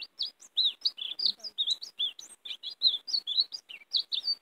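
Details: Decoy European greenfinch singing to draw in wild greenfinches for catching: loud, rhythmic twittering of chirps and wavering notes, packed closely together with short silences between clusters.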